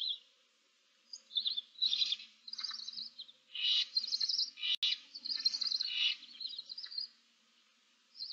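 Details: Seven barn owl chicks in a nest box with an adult, 15 March 2024, produce overlapping raspy hisses almost without pause, several birds calling at once in a continuous scratchy chorus.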